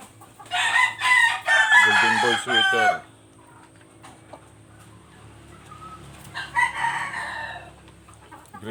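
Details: Free-range Alimpay rooster crowing: a loud, hoarse, drawn-out crow lasting about two and a half seconds that ends in falling harmonics, followed after a quiet gap by a second, shorter crow.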